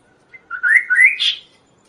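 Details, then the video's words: Kaso-kaso song from a recording used to train and lure other birds: a short phrase of smooth rising and falling whistles ending in a brief buzzy burst, less than a second long. "suara Burung Kaso-Kaso gacor"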